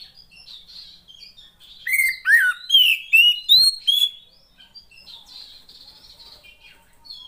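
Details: Female Oriental magpie-robin, a call for prompting lazy males to sing: a quiet, high twittering start, then a series of six loud whistled notes, some sweeping downward, each about half a second apart, before the soft twittering returns.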